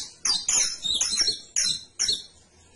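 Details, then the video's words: Canary song: loud, rich high phrases with downward-sliding whistled notes, a tumbling warble followed by two separate bright chirps. "CANARIO CANTO - 21 MINUTOS DEL AVE CANTANDO"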